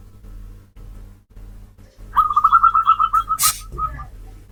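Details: Zebra dove (Geopelia striata), a caged bird recorded around Bekasi, Depok, Jakarta or Tangerang and noise-reduced. It gives a quick run of about a dozen soft, even, mid-pitched cooing pulses lasting just over a second, ending with a sharp click over a low hum.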